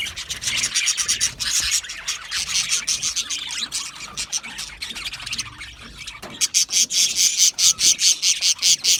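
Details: Budgerigars chattering in a group, a steady wash of high chirps that turns into quick, evenly pulsed squeaks, about two per second, over the last three seconds.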